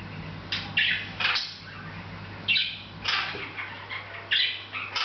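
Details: Pet Hahn's macaw chattering unawares, delivering harsh, grating squawks in small bursts roughly every second or so, with softer chirps between and a steady low hum behind.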